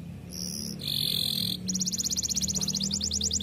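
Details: Canary singing a lively rolling song: a high sustained note, a lower steady buzzy tone, then a fast even trill of repeated notes lasting about two seconds, over a low steady hum.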